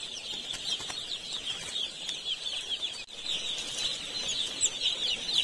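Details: Baby chicks kept on a poultry farm in India, heard as a busy, high twittering chorus of countless overlapping peeps, with a brief dip midway and occasional clicks and knocks.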